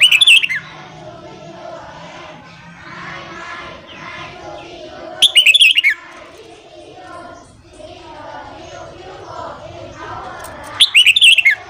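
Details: Red-whiskered bulbul singing in the morning, for training and stimulating newly caught bulbuls: three brisk warbled phrases about five seconds apart, each a fast jumble of falling whistles, over a steady murmuring background.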